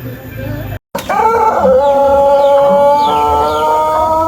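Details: Pelung chicken, an Indonesian ornamental breed from Cianjur, West Java, giving a long melodious crow. After a brief silent break, a steady tonal note with rich harmonics is held for about three seconds, with faint chirps of small birds behind it.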